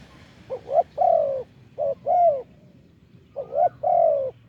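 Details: Deep-voiced wild spotted dove cooing in an off-cue rhythm during decoy calling from a branch. Three phrases, each a brief rising note followed by a long, drawn-out falling coo. Faint low hum underneath.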